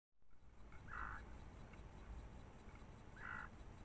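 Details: Nightjar at night during the breeding period, giving two short, nasal calls of middling pitch about two seconds apart, over a steady low rumble.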